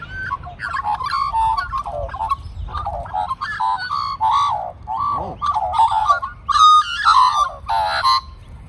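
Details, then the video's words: Several magpie families living together as one flock chorus for their feeder: loud, harmonic, yodelling warbles in long overlapping phrases, rising and falling, with brief pauses between bursts. "Magpie Army Serenades Old Man"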